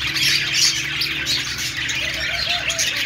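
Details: Budgerigars making happy sounds: a dense, continuous chorus of high chattering chirps and squawky warbles, overlapping without pause, with a few short rising-falling whistled notes near the end.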